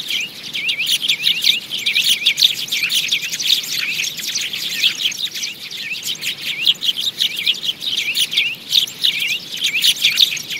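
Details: A busy gathering of sparrows, recorded for use as a trapping lure, giving a steady stream of bright, clipped chirps and quick downslurred tweets from many birds at once, rising and falling in loudness.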